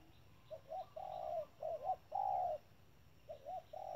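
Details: Decoy spotted dove at a bird trap, its urging call a series of low, steady coos: short doubled notes alternating with long level coos, the phrase repeating twice within four seconds, with a faint hum of background noise.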